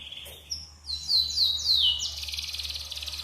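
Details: Yellow canary singing material for prompting other birds: a brief buzz, then loud descending whistled slurs followed by a fast, dense rattling trill, with a steady low hum behind.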